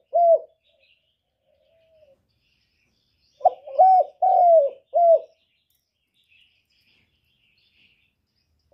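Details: Spotted dove used as a lure for trapping: one brief coo, a pause, then a phrase of three or four throaty, slurred coos, each swelling and falling, in an otherwise quiet recording.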